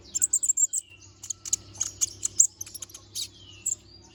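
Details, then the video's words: Little spiderhunter singing vigorously in a sharp-toned fill-in song used as a tutor recording. It gives rapid, very high thin chirps and trills, with a few falling whistled slurs in between. "Kolibri Ninja || Masteran Suara Burung Konin Gacor Bongkar Isian Suara Tajam"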